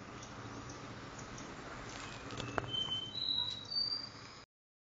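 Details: Juvenile caboclinho at 60 days of age learning to sing the do-re-mi style, producing a few thin, clear whistled notes, gently rising and stepping upward in pitch near the end, over quiet hiss before abrupt silence.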